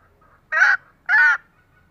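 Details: Two loud, harsh, nasal honks about half a second apart from a female green junglefowl, whose calls are used to tempt lazy males into responding.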